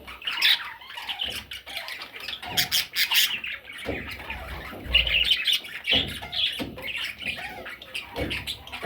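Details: Parrot chicks giving raspy, grating squawks in quick irregular bursts, several calling at once, with some soft thumps and rustling beneath.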